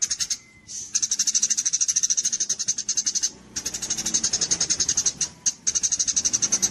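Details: Javan munia singing in kapas tembak style for songbird contest training: a brief soft whistle, then long steady runs of rapid, very high chips with a short pause midway.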